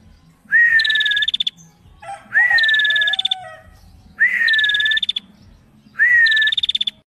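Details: Four phrases from a female bar-winged prinia in full song, roughly every two seconds: each a clear whistle sliding up and flattening, capped by a quick burst of high repeated clicks; a lower short note slips in once.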